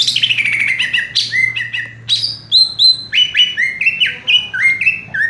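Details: Greater green leafbird, locally cucak ijo, in rapid 'raja tembak' song: a long falling whistled glide, then repeated short sharp whistles and clipped notes alternating between high and mid pitch, with a faint low hum beneath.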